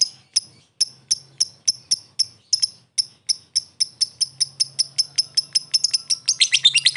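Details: Lovebird fighter lure in ngetik and ngekek style; crisp, high ticks repeat at an uneven pace, gradually quickening and closing into a short burst of buzzy chatter at the end.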